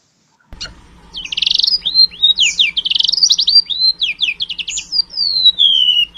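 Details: Golden-bellied gerygone (sea remetuk) singing a song filled with canary phrases: rapid high buzzy trills and quick rising sweeps, then a run of clear whistled downslurs ending in a long falling note.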